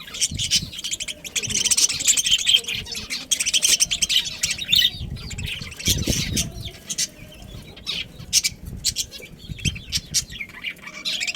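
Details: A family colony of breeding budgerigars, Australian parrots, produces dense, overlapping high twittering that stays steady throughout, with soft rustles and knocks underneath.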